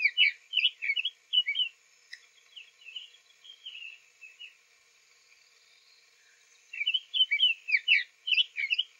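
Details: Soft song of a newly arrived male Summer Tanager, Owens Spring Tract, Lafayette County, Florida, spring morning; sweet, slightly hoarse up-and-down phrases in quick runs, a lull of several seconds, then a renewed burst.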